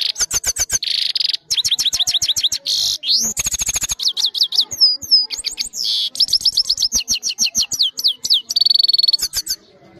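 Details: A trained European goldfinch singing at length into a phone camera: rapid liquid twitters and tinkling chips, a rising slurred whistle, a dry rattling trill, and repeated buzzy notes, all delivered in a brisk, unbroken flow.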